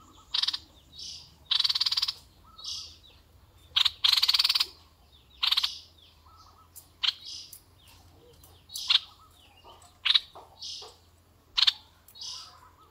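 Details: Red-eyed bulbul used as a decoy bird, giving a string of short bubbly phrases. Some are brief sharp chips, others longer rasping bursts, spaced about a second apart over a low steady background hum.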